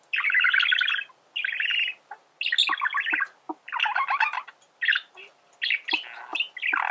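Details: A male budgerigar warbles in bursts of scratchy, buzzy chatter broken by short gaps, mixed with squeaky upward notes and soft clicks, each phrase under a second long.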